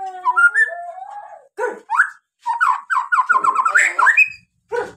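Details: White-rumped shama song meant to set other birds singing: a long, smooth rising whistle, then a quick run of warbled, chattering notes and a final sharp call.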